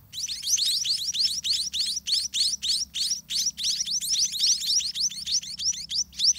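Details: Grown spotted munia chicks at the nest, hungry and fed all day by both parents; an unbroken, pulsing series of piercing, thin rising chirps, rhythmically swelling and dipping roughly four times a second.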